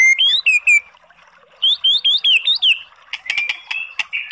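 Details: Oriental magpie-robin song played to provoke a sluggish bird into answering: clear whistled upslurred notes in short groups, a pause, a faster run of rising whistles, then sharp clicks and a buzzy ending.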